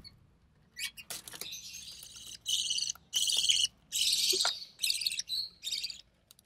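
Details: Budgerigar chick of recessive pied colouring, hatched early June 2020, fed by its mother; a building series of harsh noisy rasps, longer and louder midway, then fading with short chattery notes.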